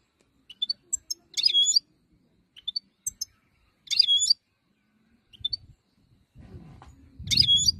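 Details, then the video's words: European goldfinch, wild type, giving spaced high tinkling notes and short chattering bursts roughly every one and a half seconds. Some rustling noise is heard near the end. "chant chardonneret 2022"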